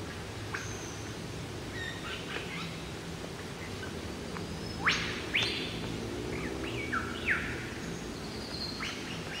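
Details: Unseen male superb lyrebird in Sherbrooke Forest gives a mating song: a varied run of sharp chirps and a few loud, whip-like sweeping notes, over a steady low rumble.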